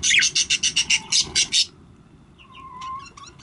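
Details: Baby budgerigars (budgies or parakeets) calling: a rapid run of about ten bright, buzzy, harmonic chirps in under two seconds. After that come fainter scattered chirps and a soft low whistle.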